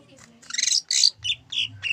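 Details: Greater green leafbird, song reported to mimic zebra dove: harsh, noisy squawk-like bursts followed by three shorter clear high notes, all within two seconds.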